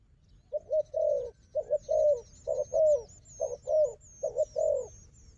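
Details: Wild dove, strong at fighting, with a strong decoy. It gives a quick succession of low, rounded coos in short doubled groups, with faint high twittering from another bird.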